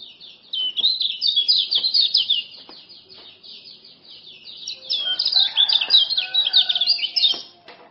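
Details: Lombok-type male common iora delivering fast 'ciak ciak' notes meant to prompt a silent iora to sing. A long, dense stream of shrill chirps, a brief softer gap, then another vigorous run over faint lower warbles.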